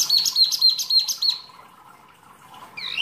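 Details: Mini wambi, a rarely kept songbird, singing actively for masteran training: about five quick high piping notes repeated evenly, a short silence, then a rising chirp at the end.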